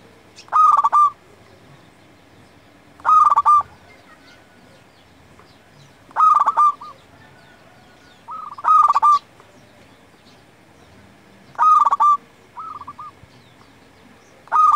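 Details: A local zebra dove in full song, used to provoke and train other doves: six loud, bubbling coo phrases of rapid notes, spaced about every two to three seconds, with soft distant coos between.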